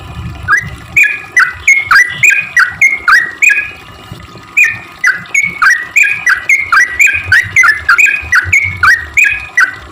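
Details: Lively sooty-headed bulbul song meant to lure other bulbuls that rarely sing: quick chuckling phrases of short dipping-and-rising notes, nearly continuous with one short pause, over a faint low background rumble.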